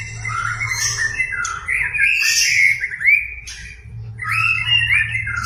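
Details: Lure song of a white-rumped shama, aimed at a reluctant singer. Wavering whistles and a harsh squawking note, a pause, then a bright, rising whistled phrase.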